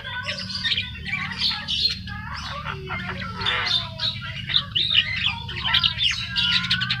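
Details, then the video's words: Caged Javan myna, just bought and brought home, already chattering busily: a rapid jumble of harsh squawks, scratchy rasps and short squeaky whistles, with a faint low hum behind. "jalak kebo baru beli taunya sudah ngeriwik gacor"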